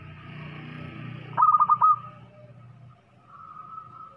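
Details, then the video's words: An actively singing local zebra dove with a loud voice gives one fast, trilling series of about five mellow coo notes, preceded by faint background voices and followed by quiet. "PERKUTUT LOKAL GACOR SUARA BESAR"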